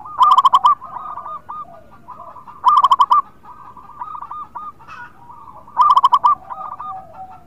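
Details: Zebra dove, an actively singing local Indonesian bird played to coax quiet birds into singing, delivers three loud bubbling coo phrases about every three seconds over steady, quieter cooing from nearby doves.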